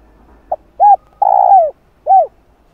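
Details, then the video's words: Cu gáy, the spotted dove, in a lure recording to excite wild doves. A single phrase: a brief soft note, an arched coo, a long hoarse sliding coo, then one more arched coo. "Cu Gáy Giọng Hạp Bổi Đủ Bài [ GÁY GỌI + THÚC + Gù ] Kích Cu Gáy Bổi Gáy"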